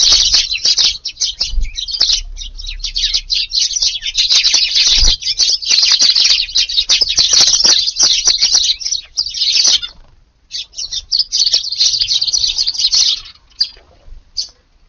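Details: Eurasian tree sparrows visiting a garden around 5:30 a.m. in rainy weather on 2 August for breakfast, chirping in a dense, overlapping flock chorus of high, sharp notes, almost nonstop, with a brief lull near the end.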